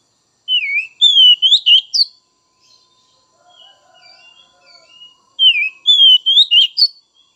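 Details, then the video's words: Oriental magpie-robin, kacer bahan and trotol, meaning untrained and speckled young birds, singing to stimulate others. Two matching bursts of sweeping whistles and sharp chips, about five seconds apart, with soft faint twitters between them. "Merangsang Kacer Bahan dan Trotol!!"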